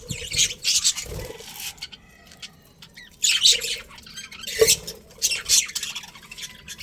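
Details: Budgie colony with a breeding pair of colourful birds: scattered bright chirps and squeaky notes come in short clusters, with quieter pauses between them and a thin, faint background.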